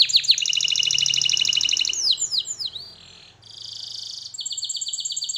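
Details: Canary singing, presented as song training: a rapid high trill, then a few sharply falling sweeps, a steady buzzy rolled tour, and finally a pulsed run of repeated high notes.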